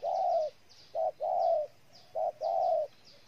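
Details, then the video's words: Spotted dove from Ninh Thuận, Vietnam, giving loud low coos: a short note followed by a longer drawn-out coo, repeated about every 1.2 seconds, with faint higher chirps of other birds in the background. "Cu gáy Ninh Thuận"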